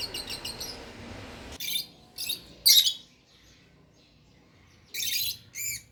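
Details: Pair of pet lovebirds giving gentle chirps: brief high, piercing chirp bursts in clusters with short pauses between, after an opening stretch of softer, hissy chatter and low background hum.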